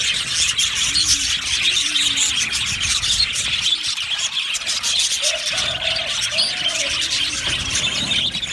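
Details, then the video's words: Budgerigar colony, happy birds in an aviary, chirping in a dense overlapping chatter, with soft low tonal notes sounding underneath in the middle and later. "Happy Budgies chirping sounds"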